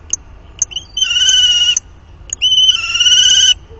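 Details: Common kestrel (Falco tinnunculus) at its nest during copulation on 30 March 2019, copulation seen there on four separate days. Short clicks and chips come first, then two drawn-out, whining, high, steady, slightly rising calls of about a second each.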